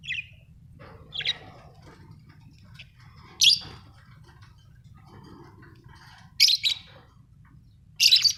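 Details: Australian budgie parrots chirping, giving short sharp chirps spaced a second or two apart, some louder and buzzier, with soft chatter between them and a low steady background hum.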